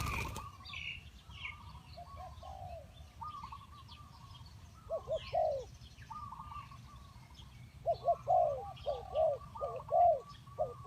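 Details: Spotted dove cooing: soft, low paired notes emerge midway, then a rapid run of rounded coos near the end. Higher, thin chirps and twitters from other small birds fill the early part.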